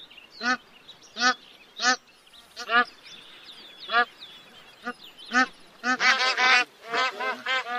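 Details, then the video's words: Bar-headed goose giving single nasal honks spaced about a second apart, then a dense burst of overlapping honks from several birds, with faint whistled calls behind. "Bar-Headed Goose [Anser Indicus]"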